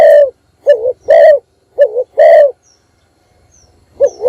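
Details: Morning decoy call of a spotted dove used to lure wild doves: a long coo, two phrases of a brief wavering coo plus a longer rough coo, a short pause, then another phrase begins; loud and distorted.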